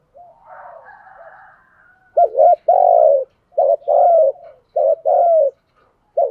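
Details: Decoy spotted dove calling to attract wild doves. A soft, higher murmur gives way to repeated low coo phrases, each a quick wavering note and a longer steady coo, three phrases in a row.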